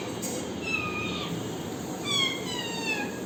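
A parrot gives two drawn-out, nasal, meow-like calls, the second longer and gently falling, over a steady background hiss.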